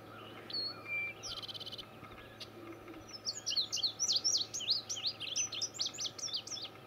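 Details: Male Indigo Bunting at State Game Lands 095, Butler County, Pennsylvania, giving a bright, high series of sharp sweeping notes, several in quick pairs, after a brief buzzy opening; faint background hum.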